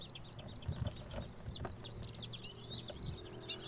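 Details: A white-spotted bluethroat, a summer migrant of marshes and wasteland, sings a fast, unbroken stream of varied high chirps, trills and twittering notes over a low rumble of distant traffic.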